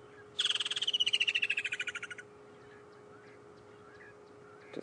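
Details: Woodland kingfisher perched in the open, moments before flying off; a loud, fast trill of about twenty pulses that slides gradually downward in pitch over nearly two seconds, after a sharp start, over a steady low hum.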